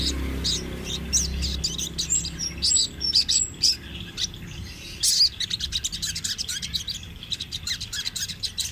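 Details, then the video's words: Energetic rolling sunbird song used as a master for training birds; scattered high chirps build into a long, fast trill of rapid ticking notes, with a low background hum. "Suara Burung Sogon Trotol Gacor Ngerol Buat Masteran sogon bahan"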